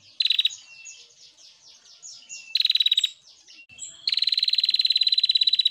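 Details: Female prinia delivering quick slurred chirps between sharp rattling buzzes, ending in a sustained harsh pulsed buzz lasting nearly two seconds.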